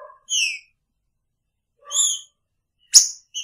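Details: Caged green-winged saltator kept with its female in the same cage, giving a few slurred, whistled notes with rich overtones, two short phrases about 1.5 seconds apart, then a sharp click.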